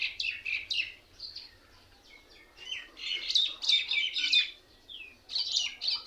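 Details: A flock of mynas gathered in a single tree, said to mock other birds; bursts of harsh, squeaky chirping and bright whistled slurs come in clusters with short, quieter gaps between them.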